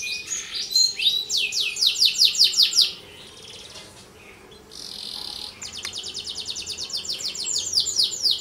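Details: Tutor song of a vigorous canary for prompting other canaries or young birds: swept rolling notes, a quiet gap, a buzzy burst, then a long rapid roll of repeated sweeps.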